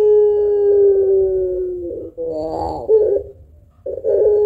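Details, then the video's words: Spotted dove, an actively singing pelung bird with a long voice and thick kuwok, used as a lure. A drawn-out steady low coo of about two seconds, then a wavering, quavering burst and a fresh coo starting. "Burung Puter Pelung Gacor Suara Panjang Kuwok Tebal Cocok Buat Pancingan"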